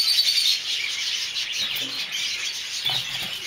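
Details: Masked lovebirds of several colour varieties (mauve, olive, cobalt and dark-factor violet) giving dense, overlapping high-pitched chirps and twitters in a continuous busy chatter, with no clear pauses.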